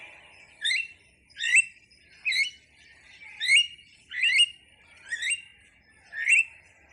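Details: Starling repeating a rising, twisting whistle roughly every second, seven similar notes in a row, clear against a quiet background.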